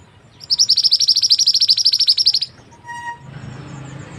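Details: Murai api, or mantenan gunung, a white-rumped shama from West Sumatra, singing actively. It gives a fast, high, even trill of about twenty sharp notes lasting two seconds, then goes quiet. A passing vehicle rumbles afterward.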